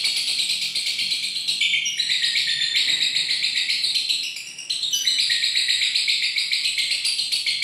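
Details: Lovebird in sustained, rapid, high-pitched chattering, a dense buzzy twitter that runs on without pause and dips only briefly in loudness midway.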